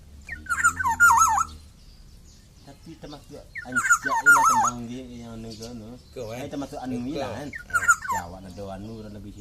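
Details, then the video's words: Black-naped oriole (kepodang emas) giving short bursts of fluty, wavering whistles every few seconds, with a person talking between the phrases. "Kicauan Burung Kepodang Emas"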